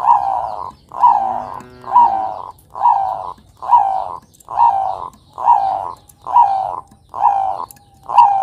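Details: Zebra dove of the Bangkok type, a Javan bird, used as a lure to get young doves singing: rounded coo notes repeated steadily, about one every 0.85 seconds, over low background rumble.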